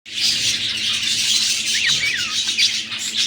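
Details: Breeding pair of budgerigars at egg-laying time: dense, continuous high-pitched chattering warble, with a few short rising and falling whistled notes near the middle and a steady low hum underneath.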